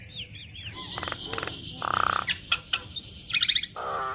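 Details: Javan myna singing a mix of mimicked fills meant to draw song from other mynas; soft looping whistles, rattling trills, a nasal buzzy note, then a reedy chattering phrase to close.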